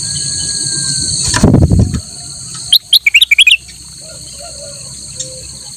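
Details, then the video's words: Kutilang emas (a bulbul) in lively song used as a master recording for training other cage birds: a quick burst of loud, sweeping chirped notes in rapid series after a rustling thump, over a constant high whine. "kutilang emas gacor buat masteran burung lain"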